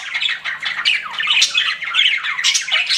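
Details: Chattering pet budgies produce a steady run of squeaky, downward-sliding whistles and raspy warbled notes.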